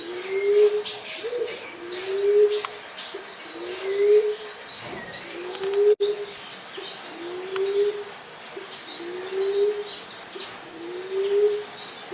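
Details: Common Emerald Dove calling a long, even series of about seven deep, gently rising coos, roughly every 1.7 seconds, over scattered high bird chirps and a single sharp click midway.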